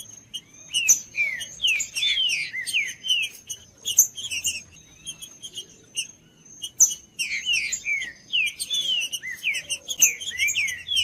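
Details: Green-winged saltator singing, the song used to warm up a cold bird. Dense runs of loud whistled phrases, each sweeping downward, come in two long bursts separated by a short pause. Sharp clicks and a thin constant high tone run underneath.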